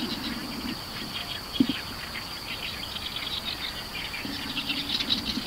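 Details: A Greater Painted-snipe, heard but not seen, at Iwakuni in the early morning of 2021-06-03, gives soft, low hooting in short pulsed runs at the start and end, while an Oriental Reed Warbler calls prominently over a steady high insect trill.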